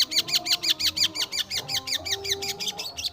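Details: Long-tailed shrike singing vigorously, a fast run of sharp, chattering hooked notes repeated about three times a second at a steady pace, with soft music playing underneath.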